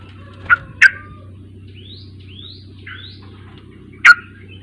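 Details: Sooty-headed bulbul lure recording for an untrained young bird: two quick bubbly notes, then three soft rising slurred whistles, then another loud note near the end, with a steady low hum beneath.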